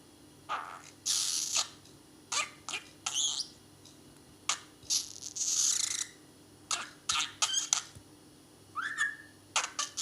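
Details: A male pet budgerigar, whose talking is becoming clear, chatters in quick bursts of scratchy warbles, clicks and sharp high squeaks.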